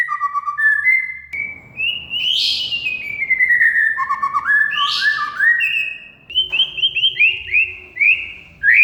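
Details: Oriental magpie-robin lure song: long smooth whistles and slurred descending notes with some rough high bursts, over steady broadband background noise.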